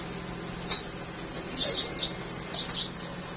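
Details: In the morning, a flowerpecker gives very high, thin chirps and quick upslurred notes in small clusters, roughly once a second, over a faint low hum.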